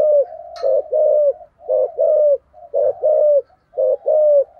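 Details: Spotted dove kept as a decoy bird, 'thúc gù' cooing in thunder-earth voice ('giọng sấm thổ'); deep paired hoots, each a quick note followed by a longer downslurred one, repeating evenly about once a second.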